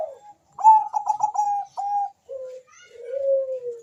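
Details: Bangkok-type zebra dove (perkutut) calling very fast, answered by a rival: a quick burst of stuttering mid-pitched coo notes, then a longer trilled coo, followed by two lower, softer drawn-out coos.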